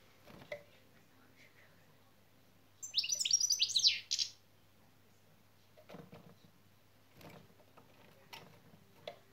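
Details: European goldfinch with a short burst of quick, high, chattering şak şak notes in an otherwise quiet indoor setting, with scattered taps and knocks before and after.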